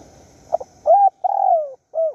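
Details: Wild spotted dove used in a decoy session in Surat Thani, Thailand, calling for a mate: a short soft note, then a rising coo and a long falling croon near one pitch, ending with a brief clipped coo.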